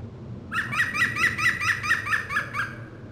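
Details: A European green woodpecker (Picus viridis) at Aghireș gives its ringing laugh, about ten loud, even notes in a quick series over two seconds, with faint low background hum.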